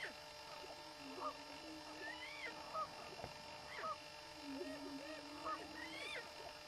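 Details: Greater prairie chickens on a lek in mating display: busy overlapping whoops, cackles and short rising yelps from several birds, over a soft low moaning hum.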